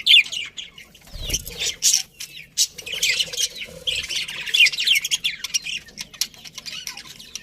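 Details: Happy budgerigars in a colony chirping together: dense bursts of bright, high chattering tweets and squawks overlapping almost without pause, with a brief low thump near the start.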